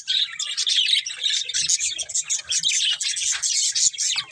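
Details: Budgerigar breeding pair keeps up a busy stream of chirps, short scratchy warbles and bright squeaks packed closely together, the chatter rising and falling with hardly any gaps, faint low thumps beneath.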